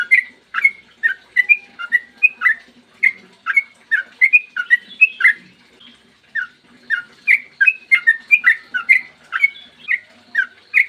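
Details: Long, steady morning singing of a sooty-headed bulbul, meant to provoke other bulbuls into song: a dense run of short, bubbly, slurred whistled notes several per second, with a brief pause near the middle.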